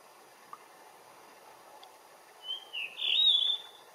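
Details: Blue rock thrush singing in the morning sun, a quiet hiss at first, then a bright phrase of rising and falling whistles swelling to a loud warbled end over steady low background noise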